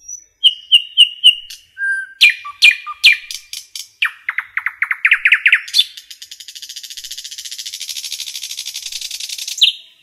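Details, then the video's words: Common nightingale singing in forest: a quick string of repeated high notes, sharp strokes, a crescendo of rapid chirps, then a long, dense, buzzy rattling trill lasting several seconds that ends in a loud rising note. "Nightingale song"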